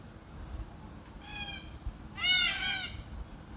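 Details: Red-tailed black cockatoo in Australia, feeding on beach almond seeds, gives two harsh, rolling, slightly wavering calls: a softer one, then a louder, grating one, over a faint low background rumble.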